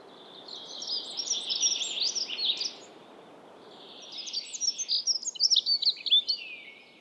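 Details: A Dunnock in Estonia gives two quick high warbling song phrases, each about two seconds long, made of hurried, squeaky tumbling notes and separated by a short pause, over steady faint background noise.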